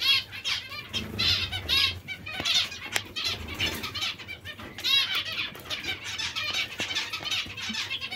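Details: Hungry zebra finches give rapid, raspy, high-pitched begging calls in dense overlapping bursts, with soft fluttering wing sounds throughout.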